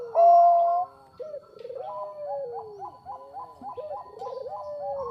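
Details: Bangkok zebra dove song used for luring: one loud sustained coo, then a rapid regular series of short bubbling notes over falling coos.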